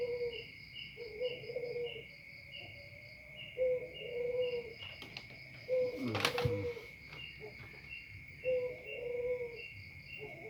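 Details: Spotted dove repeatedly giving low, drawn-out coos, each phrase about two seconds apart. A steady high pulsing whine and hiss run throughout, with one loud crackling burst midway.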